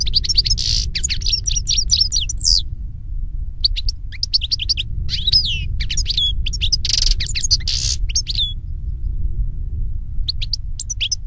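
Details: A European goldfinch delivers long, fast twittering song phrases with tinkling trills and buzzy rasps, broken by short pauses, against steady low background noise.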